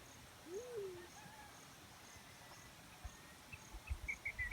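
A single low, rising hooted note from a black-chinned fruit dove, followed by faint softer notes; other birds chirp higher up and insects tick in the background.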